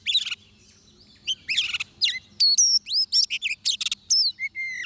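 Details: Oriental magpie-robin at a trapping site opens with a short scratchy burst. After a pause come loud rising whistles, high clear slurred notes and a final level whistled note. Faint low hum in the background.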